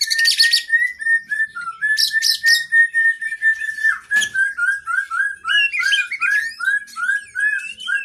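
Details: Oriental magpie-robin (kacer) song, used as training song for cage birds with long fill-in phrases: rapid runs of short clear whistled notes, then a steady series of rising whistled slurs repeated about three times a second, with scattered higher chirps.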